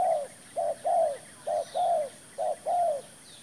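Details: Spotted dove serving as a decoy in trapping, giving a clear run of low coos: three phrases each of a short coo then a longer bowed coo, about once a second, with faint distant birds.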